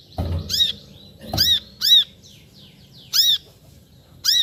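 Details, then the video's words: Brown-throated sunbird giving five loud, sharp, arched chirps at uneven intervals, over low knocking sounds at the start. "Suara Panggilan Burung Kolibri Kelapa"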